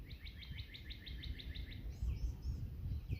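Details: Northern Cardinals competing on a cool April 19 morning bird hike, one singing from across the way: a fast run of about ten sharp, evenly repeated high notes in under two seconds, then fainter scattered chirps over low rumbling background noise.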